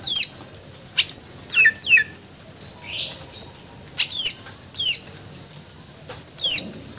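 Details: Greater green leafbird (cucak ijo) singing actively through its 'isian' repertoire: a fast, irregular run of sharp, high, downward-slurred whistles mixed with short buzzy bursts, nearly a dozen notes in seven seconds, the background otherwise quiet.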